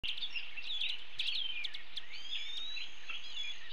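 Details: A female Broad-tailed Hummingbird at a West Texas feeder in nesting season (May 25, 2018), bringing nesting material, gives quick, high, thin chips in a rapid irregular series, with a drawn-out squeaky whistle near the end.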